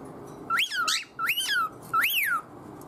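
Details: Pet cockatiel calling with strange, meaningless-sounding vocalisations to get its owner's attention: three clear whistled notes, each rising quickly then sliding down, spaced about half a second apart, in a quiet room.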